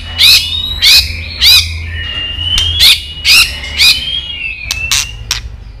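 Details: White-rumped shama female voice used to excite males to fight: six loud harsh rasping bursts, about one every half second, each with a bright whistled tone, followed by softer clicks.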